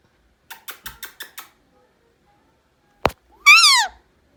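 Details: A pet rose-ringed (Indian ringneck) parakeet screaming gives five quick, harsh chattering notes, then a sharp click and one loud, wavering, drawn-out screech.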